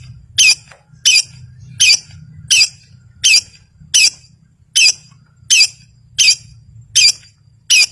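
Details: Long-tailed shrike sound used to draw silent birds into song: short, high, scratchy notes evenly repeated about every 0.7 seconds, over a low background hum.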